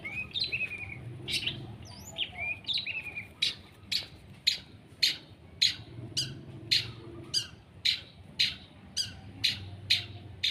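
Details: Long-tailed shrike being sunned and sprayed starts with mixed chirps and whistles, then settles into a harsh, rasping note repeated nearly twice a second for several seconds.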